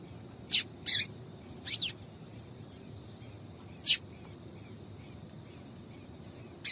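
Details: Female yellow-bellied seedeater calling a lot to stimulate the male: a cluster of sharp chips and a downward-slurred note, then a single chip and a final one, with faint soft sounds and a constant high tone.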